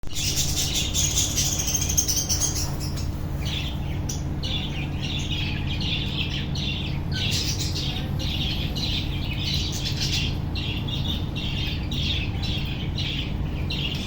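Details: A budgerigar breeding colony with chicks, in the 2025 breeding season: the budgies chatter continuously in a busy flock, with warbling chirps and squawks over a steady low hum.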